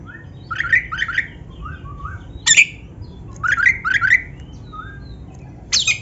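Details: Black-breasted Oriental magpie-robin, used for training caged birds. It repeats paired harsh, nasal notes in quick doublets, with soft downslurred whistles between and a few louder rasping bursts.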